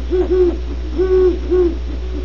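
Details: Great horned owls at Starr Ranch, California: three low, arched hoots, short then longer, rising slightly and falling, over a steady low electrical hum.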